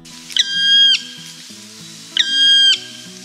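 A Black Woodpecker gives two long, drawn-out, plaintive calls about two seconds apart, each a steady high note. Soft music plays underneath.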